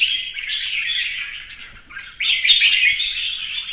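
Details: Competition singing by a Vietnamese red-whiskered bulbul performing a fanning display: a continuous stream of rich, rolling warbles, then a brief dip before a louder, sharper burst of chattering notes.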